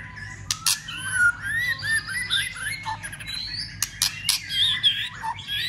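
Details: White-rumped shama giving fighting song with tail-flicking to stimulate other birds: varied rich whistles rising and falling, sliding high notes, broken by sharp percussive clicks.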